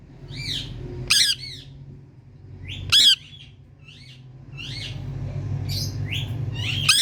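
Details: Indian ringneck parrot in India, two piercing harsh squawks amid a run of lighter, rising and falling chirps and chatter, steady low rumble underneath.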